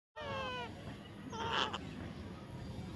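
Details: Baby parrot calling: a single drawn-out, harmonically rich squeal that slides gently downward, lasting about half a second, followed by a softer, brief squeak over a low background hum.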